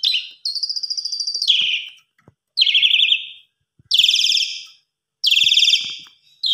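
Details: An Asian pied starling sings in the afternoon, giving loud, harsh, buzzy whistled phrases in five bursts with short pauses between. The phrases rasp and slur downward at the ends.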